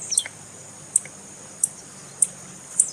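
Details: Calls of a female blue-black grassquit, used to warm up a silent male: five isolated piercing high chips spaced roughly half a second apart, one trailing into a brief falling sweep.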